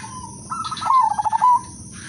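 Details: Udanmas silver zebra dove, a specialist lure singer with a melodious rhythm: a single rolling coo, starting with a slightly higher stutter and running into a rapid pulsed trill ending on a clear held note.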